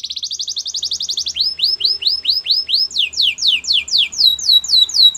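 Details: Singing white canary: a fast high trill followed by repeated curving whistled notes that speed up into overlapping sweeping phrases.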